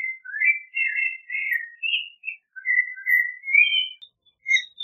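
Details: Clay-colored thrush with a flowing, nearly continuous warble of slurred whistles, some phrases rising, others falling, with a short pause near the end.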